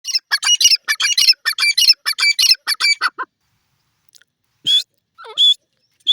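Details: Grey francolin (teetar) calling. A fast run of sharp, scratchy chattering notes lasts about three seconds, then goes silent. Later come a few clear, high whistled notes and a short falling squeak.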